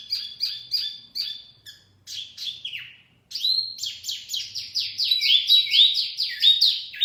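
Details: Wambi mini pikat song for attracting birds: paired high chirps repeated steadily, a short gap, then a long energetic chain of loud descending whistles.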